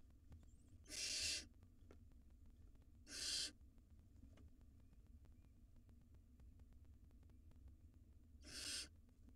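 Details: Wild barn owl nestlings in a monitored nest box, two of them swallowing rodents at the same time. Three harsh, broadband hissing screeches of about half a second each, two close together and one after a long pause, over a low background hum.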